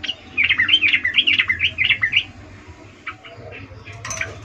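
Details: Female sooty-headed bulbul ngecuplik mating call aimed at the male: a bouncy run of looping, warbled notes for about two seconds, then a few faint sharp chips against low background noise.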